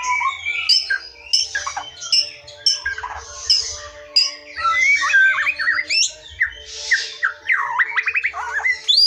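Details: Wild forest white-rumped shama song used as a lure for silent or young shamas: scattered sharp high notes, then a series of rapid swooping up-and-down whistles toward the end.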